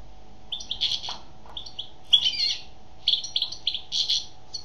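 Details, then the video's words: Female European goldfinch singing: a lively run of short, bright twittering and buzzy notes in quick bursts, with brief pauses between phrases, over a faint steady low hum. "Chant d'une femelle chardonneret"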